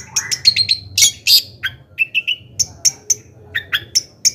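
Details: Long-tailed shrike singing as a lure to rouse other shrikes; mixed high chips, a few harsh squawky bursts and short lower whistles, spaced irregularly through the phrase.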